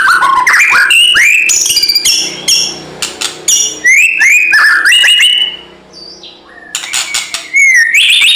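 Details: White-rumped shama in fighting mood, pouring out a dense, continuous song of loud varied whistles, rising slurs, buzzy trills and sharp chips with barely any pause.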